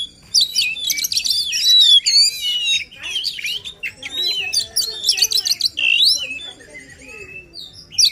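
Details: Oriental magpie-robin (kacer) in energetic 'gacor full emosi' song, used to stir a quiet bird into singing: dense bursts of varied whistles, trills and sweeping notes, strongest in the first two seconds and again near five, with a faint low hum.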